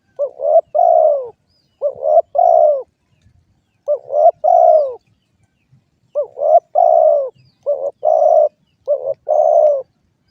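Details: Spotted dove, or derkuku, giving repeated cooing phrases. Each is a cluster of two or three short soft notes ending in a longer hollow coo. Five phrases are separated by brief silences, with no other clear sounds.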